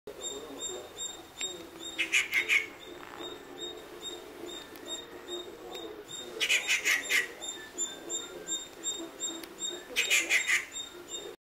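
Rufous treepie giving three harsh, rasping bursts about four seconds apart, over a steady fine ticking and low background hum.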